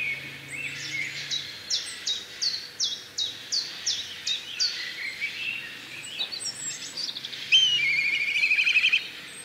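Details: Black kite (Milvus migrans) giving a rapid series of high, sharply descending whistled notes, about three a second, followed by a thinner trilling phrase from another caller; faint background birds.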